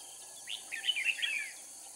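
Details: Red-whiskered bulbul used as a decoy from Cao Phong while trapping in Kim Boi, Hoa Binh, Vietnam, singing a quick warbled phrase of sliding, bubbly whistled notes lasting about a second over a steady high insect hiss.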